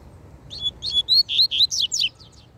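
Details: Loose double-collared seedeater challenging a caged rival, singing a brisk phrase of about ten clear, whistled notes, sliding and slurred, rising in pitch toward the middle then dropping, delivered in just over two seconds.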